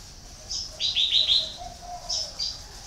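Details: Red-whiskered bulbul kept as a decoy that has lured many wild birds: a bright chain of clear, warbling whistled notes, followed by a few high thin notes, with soft low cooing in the background.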